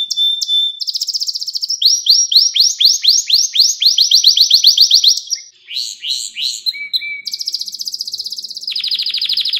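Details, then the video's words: Canary song for tutoring young canaries: a held whistle, a long roll of rapid rising sweeps, short notes over a lower tone, and a buzzy high trill at the end. "Ders Gibi Kanarya Sesi Ve Ötüşü"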